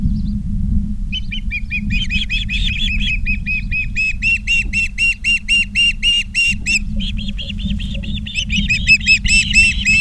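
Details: Osprey nest camera recording, Charlo, Montana, 19 August 2023, 16:05: a long run of fast, repeated whistled chirps, about four per second, rising in intensity, briefly pausing, then resuming, over a low background rumble.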